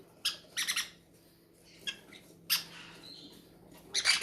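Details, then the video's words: Hungry captive baby parrots begging at feeding time in an aviary, giving short harsh squawks and raspy bursts separated by pauses of quiet. "feeding our hungry drangon parrots"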